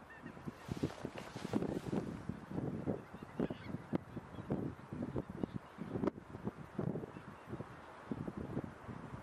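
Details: A few thousand wild geese, mainly about 1,600 Greater White-fronted Geese with Tundra Bean, Egyptian and Barnacle Geese, graze undisturbed in a Dutch polder on 26 January 2017. Dense, overlapping short honks and cackles form a steady chorus with constant background murmur.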